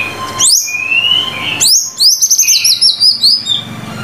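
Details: Energetic murai batu (white-rumped shama) song: a steep rising whistle, a long smooth note, then a rapid string of high, buzzy repeated notes.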